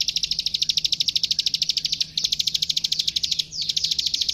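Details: Training master recording of a plain prinia (prenjak sawah): quick, sharp, high clicking notes in a rapid series, with two short gaps before the clicking resumes.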